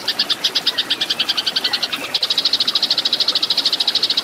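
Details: Eurasian tree sparrow in fighting song for cage-bird training, pouring out dense, high, metallic chirps in quick succession, slightly slowing near the middle before speeding into an even faster rattle.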